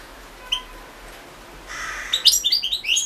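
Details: European goldfinch from a 2016 goldfinch song championship entry: after a quiet start with one thin note, a fast burst of liquid, high twittering notes begins in the final second.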